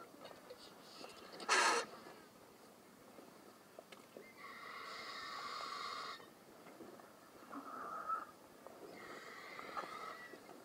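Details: A young White-headed Vulture at Occipitalis Station, Saruja, Gambia, gives a sharp rasping burst, then drawn-out wheezy, nasal calls lasting one to two seconds each, over quiet background rustle.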